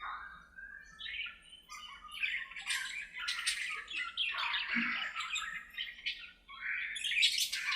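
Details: Aviary budgerigars conversing as they play, producing a steady run of rising and falling buzzy warbles, rasps and chirps, mixed in a busy overlapping chatter.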